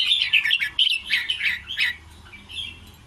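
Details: Thai-style 'ble rik krajai' song of a red-whiskered bulbul: a short, lively string of fluty, bubbling notes in quick succession during the first two seconds, then softer trailing chirps.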